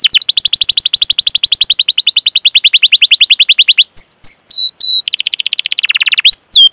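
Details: Canary song used as a training recording to prompt young or silent canaries to sing: long rapid trills of descending whistled notes, then looping upslurred whistles and a buzzy rolling trill.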